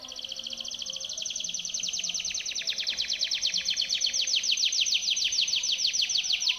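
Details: Timbrado canary singing a training song for other canaries: one continuous rolling trill of very rapid repeated notes that grows steadily louder and slowly slides lower in pitch.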